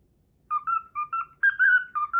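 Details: Pet cockatiel starts its learned whistled melody, the Pythagora Switch opening theme, after a brief silence. A handful of clean, bright notes follow, with the later ones held longer and pitched higher.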